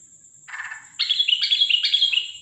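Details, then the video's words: Sooty-headed bulbul with an unusual call at night, 13 December 2023; a soft buzzy note, then harsh chattering bursts that slur downward, over a steady high electronic whine. "Burung Trucukan bersuara aneh dimalam hari"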